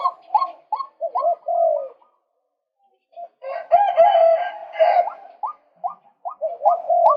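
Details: Male white-breasted waterhen calling, a recording used to lure birds. Short, upward-hooked croaking notes repeat about four per second, then pause for a second, then come back with a louder, rougher burst before more quick hooked notes.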